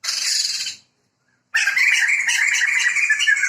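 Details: A pair of Sumatran white-crested laughingthrushes, male and female, protected birds endemic to Sumatra, deliver a harsh, noisy laughing burst, fall silent briefly, then resume with a loud, dense, rapidly pulsing cackling chorus.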